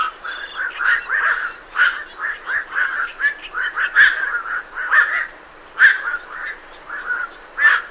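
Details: Birds leaving a night heron roost, recorded at medium close range: a steady stream of harsh, gruff croaks and clucks, several birds calling over one another, with great reed warblers audible in the background.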